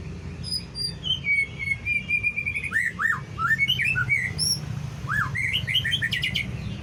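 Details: Murai batu (White-rumped shama) singing to draw other shamas into song: drawn-out whistles, then looping slurred notes and a closing burst of rapid high chips, over constant low background hum.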